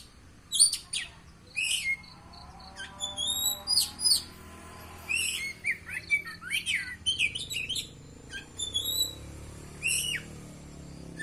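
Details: Kacer, the Oriental magpie-robin, delivers a lively stream of shrill whistles, sweeping notes and short squawky chatters, phrase after phrase with short pauses, against a low continuous background hum.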